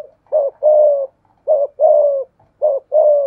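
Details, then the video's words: Dueling spotted doves, a decoy with a 'thổ pha thúc' voice facing a wild dove. There are three clear low coo phrases, each a short note followed by a longer drawn-out one, spaced about a second apart. "cu gáy giọng thổ pha thúc GÙ đấu với bổi, tiếng gáy bổi nghe rất ghét và gáy theo hiệu quả"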